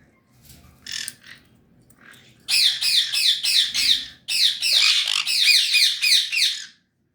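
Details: An adult pair of sun conures give loud, harsh, rapidly repeated screeching squawks in quick bursts.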